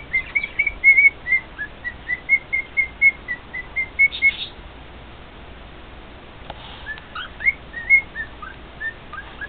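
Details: Male cockatiel singing indoors to two other cockatiels: a run of clear whistled notes repeated about four per second, a pause, then more varied rising and falling whistles.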